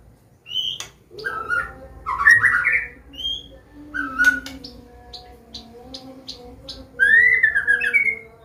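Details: Medan white-rumped shama singing a 'ngeplong' combination song for training young birds: softer whistled notes and warbled phrases with scattered sharp clicks, ending in a louder rising slurred whistle, over a steady hum.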